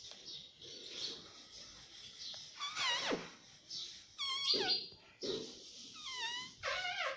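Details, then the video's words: Pet Indian ringneck parrot kept indoors, giving a string of harsh, screechy calls with sharply bending pitch, some sliding downward and others rising, spaced over seven seconds above a steady background hiss. "cute Indian ringneck parrot"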